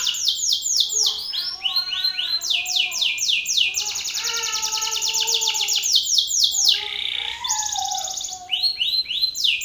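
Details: Male Belgian canary in full song toward a rival male: long series of rapid descending sweeps in rolling tours, changing speed and pitch, with lower warbled notes underneath and a brief buzzy break near the end.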